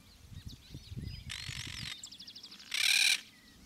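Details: Yellow-headed Caracara (Milvago chimachima) at Gualeguaychú, Entre Ríos, Argentina, giving harsh, hissing screeches: first a rasping burst, then a quick stuttering run, then a loud final scream, with a faint low rumble underneath.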